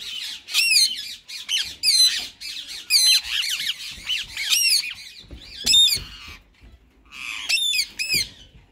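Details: Busy talking mode from white male and green ringneck parakeets: dense, warbling chatter packed with frequent sharp, metallic squawks, easing briefly before another burst of calls.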